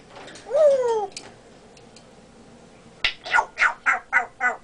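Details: Captive African grey parrot, a pet that mimics speech and burps, indoors. A descending whistled slur is followed by a sharp click and then a rhythmic string of about seven short, harsh, voice-like bursts.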